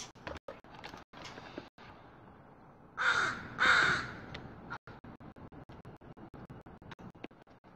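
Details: Crows in wet weather: two loud, harsh, rasping caws about half a second apart, standing out from a quiet background broken by brief dropouts and ticking noises.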